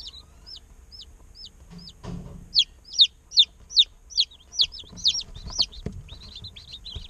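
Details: Day-old chickens in an incubator at hatching time: thin, high peeps repeated about every half second, briefly interrupted by a rustle, then louder, faster peeping from several chicks overlapping.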